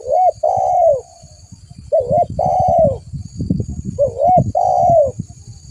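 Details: Spotted dove (tekukur), a lively caller used as a lure: three mellow cooing phrases, each a short wavering note then a long falling coo, spaced about two seconds apart, with low thumping and rustling noises in between.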